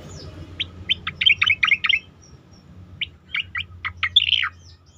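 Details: Asian pied starling song used as a training recording for competition birds: bursts of sharp, chirpy notes in quick clusters, a pause, then another clustered phrase ending in a downslurred, warbling note; low hum underneath.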